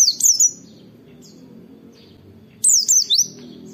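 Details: White-eye song in the wit-wit firing style, a training recording made to prompt other white-eyes to sing: two bursts of very high, thin, zigzagging whistles, one at the start and one near the end, with quiet low hum between.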